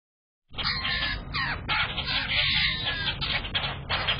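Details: Grackles fighting, with the fight going to the ground, give a continuous run of harsh, raspy squawking calls, rapid and overlapping, over a low background rumble.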